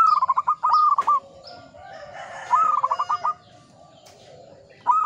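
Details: Zebra dove, local bird, singing in Mataram Ngepat rhythm: stuttering runs of rapid, bright coo notes broken by brief pauses, over a soft background of lower cooing.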